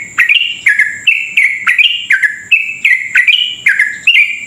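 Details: Sooty-headed bulbul, a strong singer in long 'ropel' style, used to prompt other bulbuls to sing fast; loud, dense run of rich warbled notes rising and falling about three per second, over a steady high whine.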